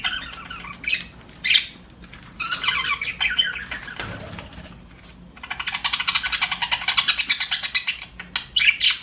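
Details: Pet budgerigar chirping: scratchy warbling chirps, a brief quiet pause midway, then a fast, rhythmic chatter of rapid pulsed notes running to the end.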